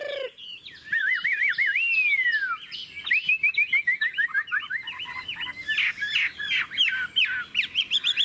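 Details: Chinese hwamei in long ngũ trường song with a wild forest tone: a looping, warbled whistle gliding downward, then a rapid chain of short bright notes and sharp chips, continuous and energetic.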